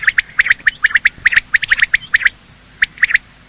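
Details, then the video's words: Morning quail calls from males and females, played to attract quail when hunting: paired squawky chips repeated in a steady series, then a pause before a few more. "Quail calling sound: master the Art of Quail tripping | Bater Awaz Subha"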